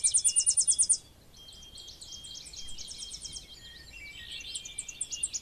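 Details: Tennessee warbler: a loud, very high, rapid trill lasts about a second and stops, followed by softer, scattered high chips and a quieter series of repeated notes, with a thin whistle in the background.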